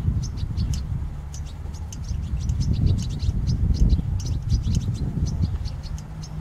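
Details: European goldfinch song: rapid, thin, high twittering notes repeated steadily throughout, heard over a constant low rumble of background noise.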